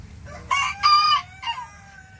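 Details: High-pitched crow of a tiny bantam rooster sassing back at a larger neighbouring rooster, in three syllables with a long steady middle note and a dropping end. A faint steady tone and low hum sound beneath it.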